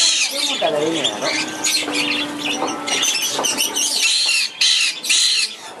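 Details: A hand-fed Black-headed Caique chick, about one to one and a half months old, gives harsh, raspy squeals and wheezy rising squeaks in quick bursts while begging, with a person's voice close by, 15 May 2011.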